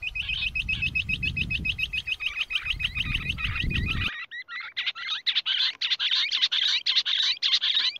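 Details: Rock bush quail giving a fast chorus of sharp, rattling notes in dense runs, with low rumbling noise in the first half.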